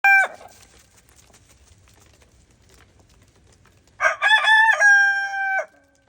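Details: Araucana rooster crowing on a farm in the snow. A brief call opens, then a quiet stretch with low rumbling, then a loud harmonic cock-a-doodle-doo of about one and a half seconds with stepped opening notes and a long held ending.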